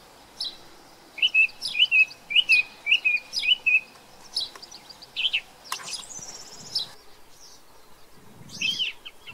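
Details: Song thrush, introduced to New Zealand, repeats one short clear phrase five times in quick succession. Varied higher chirps and sharp notes follow, with fainter bird calls in the background.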